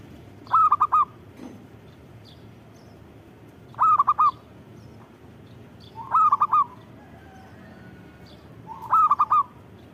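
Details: Four cooing phrases from a zebra dove, each a tight run of four clear, bubbling notes, spaced two to three seconds apart in a quiet setting.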